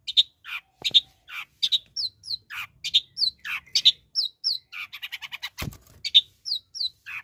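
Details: Sooty-headed bulbul singing: a lively string of short chirpy, bubbly notes and quick sweeping phrases, closely repeated with brief gaps, one sharp click midway.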